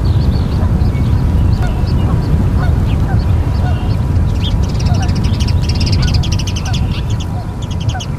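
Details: Osprey at its nest in Charlo, Montana, on 9 September 2023 at 18:51, picked up by a live nest camera: quick series of short, sharp high chirps running in bursts, over heavy, constant wind rumble.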